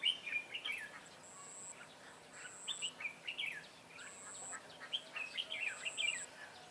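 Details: Red-whiskered bulbul, white-cheeked form, at a trapping session in Vietnam on 23 June 2018: faint, lively warbled phrases with quick rising and falling notes, repeated in bursts, plus a steady high tone sounding at intervals.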